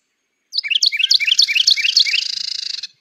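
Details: Carolina Wren pair duetting in nesting season: the male's loud, rapid, ringing song phrases repeat about four times a second over the female's dry, buzzy rattle call, which runs on briefly alone at the end.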